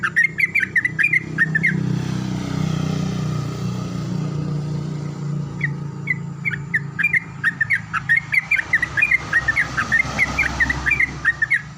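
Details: Yellow-vented bulbul singing in the morning as another answers, with bubbly chattering notes at the start and again later, partly over a loud engine rumble from passing traffic.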